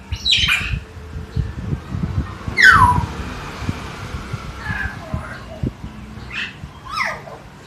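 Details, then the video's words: Beo or tiong emas, a common hill myna from Jatiasih, Bekasi, giving scattered harsh downward-slurred calls and brief whistles across several seconds, mixed with low household noise and murmuring. "Beo "Si Jojo" Gacor suara alam"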